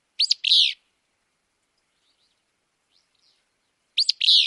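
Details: Willow flycatcher in Wisconsin: a buzzy, sneezy two-part phrase, a sharp rising note and then a burry slurred one, given twice about four seconds apart with silence between.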